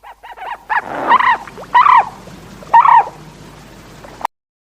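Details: Flamingo honking: nasal goose-like calls, a few short quick notes then three louder harmonic honks about a second apart, ending abruptly.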